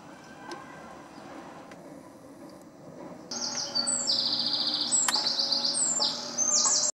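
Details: Eurasian wren in a garden bursts into loud, high, rapid trills and sharp twittering notes after a few quiet seconds of faint outdoor background.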